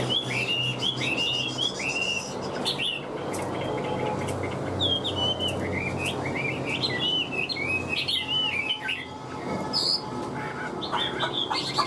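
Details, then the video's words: Caged Hwamei, a fig-leaf-tailed bird praised as a strong singer and fighter, pouring out varied whistled phrases that slur up and down, with short gaps and a steady low hum behind. "Họa mi vip đuôi lá vả cứng, hót cực tốt đấu tốt"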